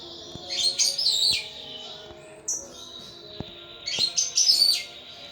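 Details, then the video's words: Caged pet thrush kept by a hobbyist in Indonesia, singing continuously and vigorously: two bursts of high, bright whistled and twittering notes with slurred phrases, separated by a brief quieter pause and a single short note. "Burung Anis "Ronggeng" Ngeplong Mabok berat"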